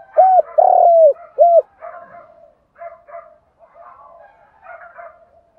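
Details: Morning decoy calling of a spotted dove used to lure wild birds: one loud phrase of three hollow, throaty coos, then fainter murmuring coos trailing off.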